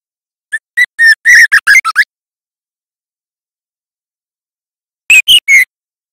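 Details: Young White-rumped Shama learning to sing, clean loud lure audio: a rapid jumble of about ten whistled and chipped notes, then after a three-second gap three high clear whistles.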